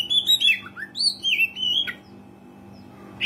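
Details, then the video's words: Loud, clear song of an oriental magpie-robin, used as a lure to prompt rarely singing birds: a quick run of sweet whistled and slurred notes lasting about two seconds, then near silence over a faint hum. "KACER GACOR SUARA ASLI PANCINGAN KACER JARANG BUNYI"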